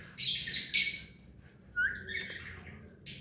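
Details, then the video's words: Hand-tamed pet rose-ringed parakeet: a brief harsh screech, then a rising, slurred whistle-like call with scratchy overtones, all in about three seconds. "Mithu parrot hand taime and clear sound"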